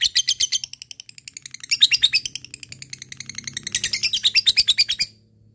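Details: Lovebird of fighter type chattering ngekek style toward an opponent: fast, high, rattling notes rising and falling in loudness over five seconds, then stopping.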